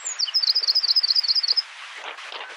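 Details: Icelandic Northern wren (Troglodytes troglodytes islandicus) at Barnafoss, Iceland, June 2019, giving a rapid burst of high, sharp ringing notes, about a dozen in a second and a half, then fading into faint background noise.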